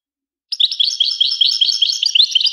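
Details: Continuous European goldfinch twittering: bright, tinkling chirps delivered several per second in an unbroken, cheerful stream, with no background noise.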